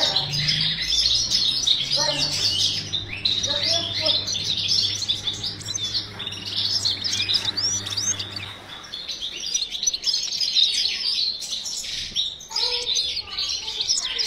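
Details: Bred European goldfinches in a cage sing a long, jangling run of high, liquid twitters and buzzy chirps. There are short lower notes near the start. A low mechanical hum lasts until about nine seconds.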